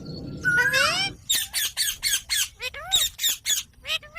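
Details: Green parrot talking. A long, drawn-out harmonic squawk slides downward, then a rapid train of harsh, clipped bursts follows, with a few short curving whistles among them.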